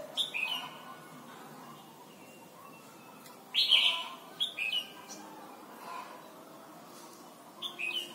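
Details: Thai red-whiskered bulbul singing, a recording for training young birds: clear whistled phrases of quick dropping notes, one loud burst mid-clip and softer ones before and after, with a hissy background.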